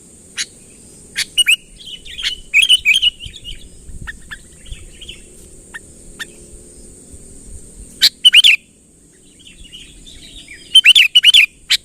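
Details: Sooty-headed bulbul luring a rival nearer with energetic calling: scattered sharp clicks and repeated bursts of two to four bright, chattering chirps separated by short pauses, against a steady thin hiss.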